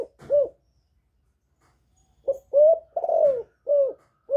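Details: Female spotted dove cooing to excite males: the end of one phrase, a pause, then a full phrase of a short note, a rising coo, a long descending coo and short rounded coos, with no other sounds.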